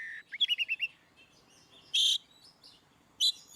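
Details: Oriental magpie-robin in ngeplong style, a training song for birds that rarely sing: a quick stuttering run of five short whistled notes, then two isolated loud harsh buzzy bursts spaced over a second apart.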